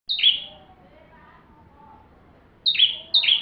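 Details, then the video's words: Bar-winged prinia in full, vigorous song used as a tutor for magpie-robins: sharp high chirped notes, each a short bright double stroke, one at the start and a close pair near the end, over a quiet background. "Burung ciblek tamu fulll gacor cocok untuk masteran murai batu"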